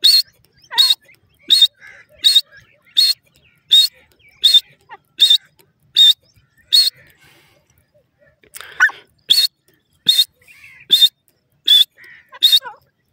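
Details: Grey francolin, known locally as irani teetar, giving a long run of short piercing high notes at a steady pace of roughly one per second, with a brief pause partway through and a little faint background rustling.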